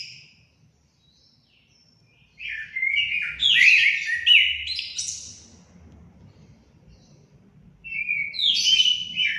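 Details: Orange-headed thrush song used to stimulate pet birds to sing: a burst of rich, jumbled whistled phrases sliding between mid and high pitch, a pause, then another phrase starting, over faint low background noise.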